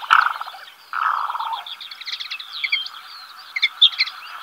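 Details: Black-bellied sandgrouse pair, male and female, seen copulating on wasteland near Villarrubia de los Ojos, La Mancha plain, Spain, early July: two low, bubbling rolled churrs, each about half a second, with thin high chirps from small birds behind.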